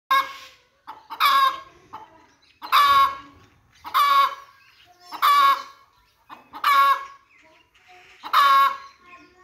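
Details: Hen giving a series of loud, harsh, nasal clucking calls with rich harmonics, each burst about half a second long, repeated roughly every one and a half seconds, with soft lower clucks between them.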